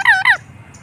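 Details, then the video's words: A pet green parrot at home gives two loud, harsh, harmonic squawks in quick succession, each bending down in pitch, followed by near silence. "Natural sound of parrot video"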